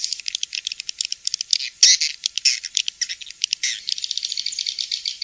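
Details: Swiftlet calls: fast, sharp high chirps packed closely together, with a brief buzzy squeal near the middle, steady throughout with no background noise.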